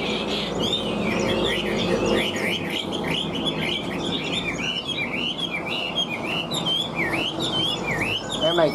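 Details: Caged Chinese hwamei, a large handsome bird kept as a pet, singing high: a continuous run of loud, varied whistled and warbled phrases with quick rising and falling slurs, steady throughout, over a low room hum.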